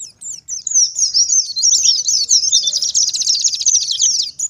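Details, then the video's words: Wild-style oriental white-eye song played to attract wild white-eyes: scattered high chirps building into a long, rapid, buzzy twittering trill. "BURUNG PLECI gacor ngalas nembak || PANCINGAN PLECI NGALAS"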